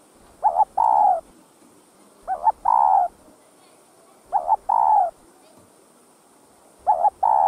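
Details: Spotted dove repeatedly cooing to rouse other doves: four phrases about every two seconds, each a clipped double note followed by a longer rounded coo, over faint low background noise.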